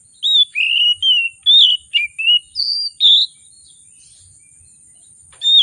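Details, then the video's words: Agitated oriental magpie-robin in rich 'isian' song used to draw out silent birds: a fast string of about nine clear whistled slurs, rising and dipping, then a pause and one more phrase, with a thin high hiss. "Kacer Gacor, Kacer Emosi Memancing Kacer Sulit Bunyi, Kacer Isian Mewah"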